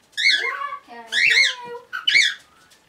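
Cockatiels give three bright, harmonic whistled phrases with gliding, falling notes.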